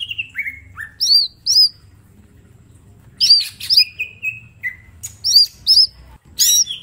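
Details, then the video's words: Green leafbird, a small bird kept in a cage, singing for a training master: short falling whistles, a long quiet gap, then a burst of looping high notes, drawn-out slurs and harsh sharp strokes. "Cucak ijo mini gacor full tembakan bongkar materi"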